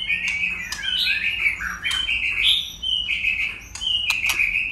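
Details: White-rumped shama in fight singing, changing voice constantly: a continuous chain of clear whistles and warbles, rising and falling, with a few crisp clicks.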